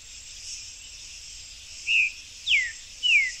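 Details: Buff-throated saltator (Saltator maximus) in a backyard with fruit giving three clear whistled notes, one short and level, then two slurred downward, about half a second apart, over a steady hiss of insects.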